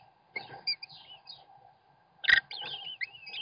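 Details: American kestrel father feeding chicks on a webcam: a sharp loud knock midway, then thin wavering high whistled calls that waver up and down, over a low steady hum.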